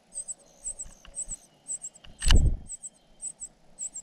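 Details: Young cuckoo being fed by its foster parents: high, sharp squeaks repeated about twice a second, broken midway by one loud knock or bump.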